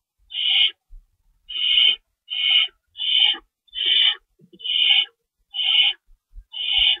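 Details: Owls calling at the nest at feeding time, 3:53 AM on 25 March 2012, with two rabbits stored as prey: eight rough, hissing screeches of about half a second each, repeating steadily, with faint low thumps between.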